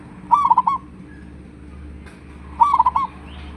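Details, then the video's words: Lure call of a local zebra dove meant to get other doves answering: two bubbling, stuttering coo phrases, each a fast series of short notes closing on a longer held one, against low steady background hum. "pancingan suara perkutut lokal,suara besar auto nyaut"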